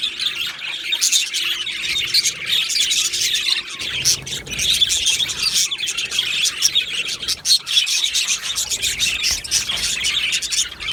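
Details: Many Australian budgies calling in a colony aviary on 15 July 2025, a steady wash of high twittering, chirps and scratchy warbles, with a brief softer patch near the middle.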